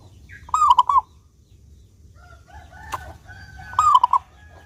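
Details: Local zebra dove with a clear voice, used to coax other doves into singing: two short, bubbly cooing phrases about three seconds apart, with faint chirps and a sharp click from other sounds between them.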